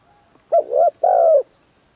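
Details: Caged spotted dove in its third decoy training session, its song described as ending in a 'kuk' with a full middle voice: one low cooing phrase, two short rounded notes then a long, slightly falling coo.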